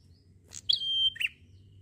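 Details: Single 'gacor santai' phrase from a prenjak (prinia): a high tick, then a pure level whistle, closing with a brief buzzy downward note above low-pitched background hum.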